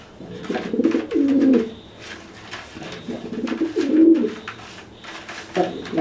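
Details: Threat display from a dry pigeon toward a wet pigeon unable to fly after bathing; three low burbling coos spaced about one and a half seconds apart, with scuffling and clicking sounds.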